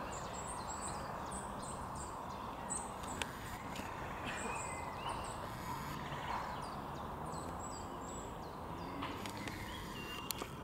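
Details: Common starlings in Tivoli Landscape Park, Ljubljana, on 5 May 2023 give thin, high squeaky notes and chips in quick runs, with scattered clicks, over a steady low rumble of background noise.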